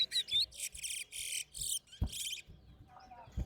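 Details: A large-billed seed-finch (towa towa) sings in a bird singing competition at Lusignan while its songs are counted aloud. It gives rapid, bright, buzzy bursts under half a second each, with thin whistled notes, low thumps and faint voices.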